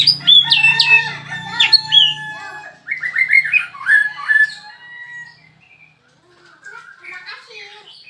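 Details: Caged bird singing right after its cage cover is opened: a rapid, busy chatter of sharp chirps, trills and whistled notes, loud at first and then fading into quieter, scattered twitters. A low hum is heard early on.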